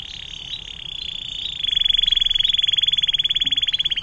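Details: Canary singing a long 'air mancuran' phrase for tutoring songbirds: a dense buzzy trill that shifts after about one and a half seconds into a crisper, evenly pulsed rapid rattle.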